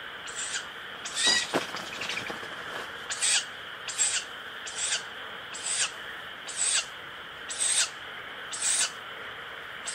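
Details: Young owl chick calling 'pishu, pishu' again and again: roughly nine rough, airy hisses, each brief and spaced about one second apart, against a constant thin whining tone in the background.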